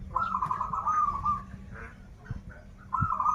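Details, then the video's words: Kept local zebra dove from Banten, Indonesia: a long rapid rolling coo lasting over a second, then a soft pause with faint knocks, and a new trilled phrase starting at the end. "Perkutut lokal gacoran suara krital, warung kebek, dan suara aneh"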